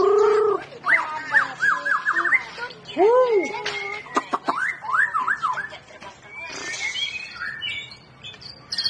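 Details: A White-rumped Shama sings a rich, varied song of clear whistles, swooping notes and quick warbled runs, with some harsher chattering toward the end; used to prompt reluctant shamas to sing.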